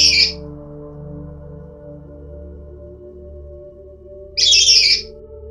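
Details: Black-capped lory (Lorius lory) in an ebony tree giving two harsh, screechy squawks about four seconds apart over a steady, low, ringing drone of soft music.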